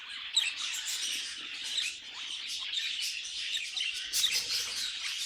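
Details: Several budgies singing a busy, scratchy twitter with a sharp squeak early on and a continuous layer of high chirps throughout.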